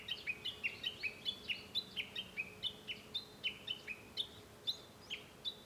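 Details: Japanese bush warbler heard from inside a house, 5 May 2013, giving a long run of sharp two-part notes, about three each second, bouncing between higher and lower pitches with a faint background hum.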